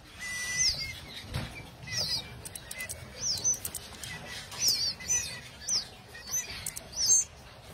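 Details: Canaries giving short, high, down-slurred chirps repeated about once a second, with fluttering and rustling noises underneath.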